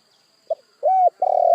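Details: Spotted dove coo fragment: a brief soft note, a smooth level coo, then the start of a rolled, throbbing coo, low and mellow against near silence.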